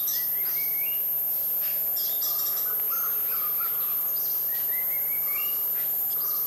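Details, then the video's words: A jungle owlet gives two short runs of rising, stepped notes that climb in pitch, set against high chattering from other small birds and a steady hiss. "Jungle Owlet"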